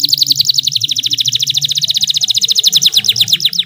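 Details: Canary lure song for canaries that seldom sing: one continuous, very rapid high-pitched trill of repeated notes, steady throughout, slightly loosening near the end, with faint low hum.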